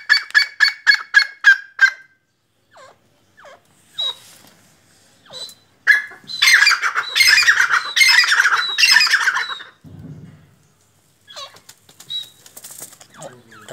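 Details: Black francolin (kala teetar, Sindhi teetar): a quick run of clipped, repeated notes opens, then scattered faint sounds, then a loud, rough, rattling burst of grating pulses lasting several seconds, followed by quieter scraps.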